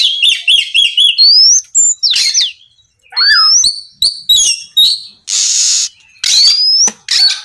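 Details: Singing Oriental magpie-robin (kacer) in 'gacor ngeplong' style, intended to get other magpie-robins singing: rapid repeated chattering notes, rising whistles, varied slurs and a loud hissing rasp near the end.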